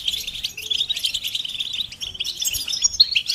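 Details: Goldfinch bitbita and stista calls for coaxing a silent male to sing; a short stretch of quick, high, chattering twitters with a sharp chirp near the end.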